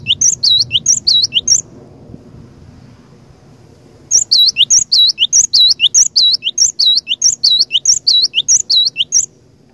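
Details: Cinereous tit singing to draw out rivals: a short series of paired high whistles, a two-second pause, then a long steady run of the same repeated phrase.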